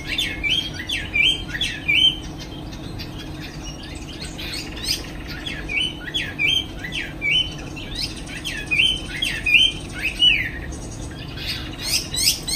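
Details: Caged Chinese hwamei, afternoon, flapping its wings: a long sequence of loud whistled two-part phrases mixed with harsh scratchy notes, repeating in bursts roughly every second or two.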